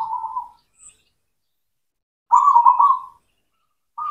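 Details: Singing local zebra dove, cemani variety, recorded as a lure for doves that refuse to sing: a soft fading coo, a pause, then a loud rippling trilled phrase and the start of another.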